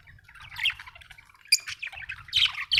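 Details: Happy budgerigar chattering in a busy, scratchy warble with squawky notes, growing louder toward the end, a low hum beneath.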